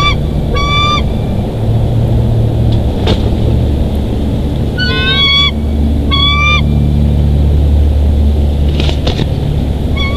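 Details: Bald eagles of a nesting pair at their nest in Big Bear Valley, filmed by a live nest camera on 02/01/2023; bursts of high, thin, upslurred piping notes in quick series, pausing between bursts, over steady low rumble.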